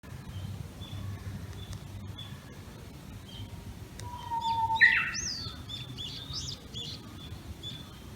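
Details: Japanese bush warbler, a yearly visitor, singing in a bamboo thicket in the Tama area of Tokyo in the early morning of 26 May 2019, heard from a home's second floor: a single long steady whistle slurring into a sharp, higher flourish, with faint notes after.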